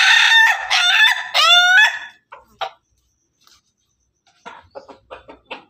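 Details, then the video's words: Pelung and Ketawa (laughing) chickens crowing together: a loud, harmonic-rich crow of about two seconds, ending in a rising, bending note, followed by short soft clucks and chatter. "ayam pelung ayam ketawa bersama"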